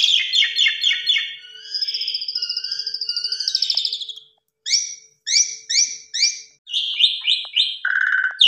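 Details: Asian pied starling lure song packed with fill-in phrases. It opens with a fast stuttering trill that leads into a long high whistle, then comes a string of sharp repeated chirps and a harsh final note.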